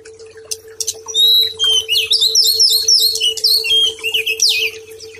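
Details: Master song of a white-rumped shama, intended as therapy for a stressed bird that has gone quiet: a loud, continuous stream of high, rapidly changing whistles and twitters over a constant faint hum.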